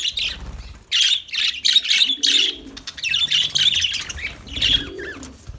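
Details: Several loud, rasping lovebird chirp bursts in quick succession, then scratchier twittering, with soft low cooing and faint speech-like murmurs in the background.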